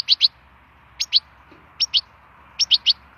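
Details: Wild European goldfinch giving short bursts of two or three clipped, high chirps, roughly once a second, with silence between the bursts.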